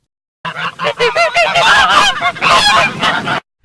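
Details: Geese giving loud, harsh honks in a dense, continuous run of overlapping calls lasting about three seconds.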